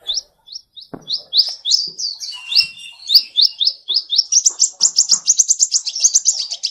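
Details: Sunbird called the seven-coloured sunbird, recorded with no background noise: sparse high chirps that quicken into a fast accelerating string of sharp, evenly repeated notes and ends in a rapid high trill.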